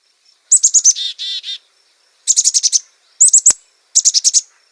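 A Black-capped Chickadee gives its namesake chick-a-dee call: quick, high, thin notes followed by lower buzzy dee notes, repeated in four bursts.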